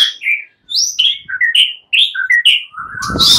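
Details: Several fighter white-rumped shamas answer one another in agitated song: a string of clear, shifting whistled phrases, some sliding up, others dropping, with short pauses. A harsh, buzzy burst closes it.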